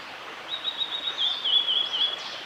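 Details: Male blue-and-white flycatcher singing at Oiso, Kanagawa, Japan, on 11 June 2016: a high, thin, warbling phrase that starts as a steady tone and breaks into quick wavering slurred notes, over a light background hiss.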